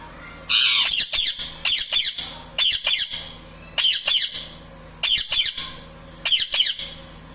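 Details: Loud chirping from a pet parrot calling the male: a long rasping squawk opens, followed by paired harsh high chirps repeated roughly every second, with a low background hum.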